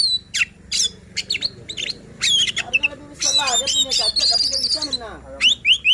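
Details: White-rumped shama singing a provoking song meant to stir other shamas into singing: sharp high whistles, rapid chattering trills and squeaky notes in dense bursts, with a low steady hum underneath.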